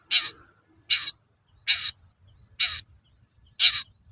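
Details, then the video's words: Long-tailed shrike used as a singing lure for other shrikes: five rough, raspy, crow-like notes repeated rapidly, under a second apart, with faint low noise behind. "Suara burung cendet gacor untuk pancingan cendet bahan"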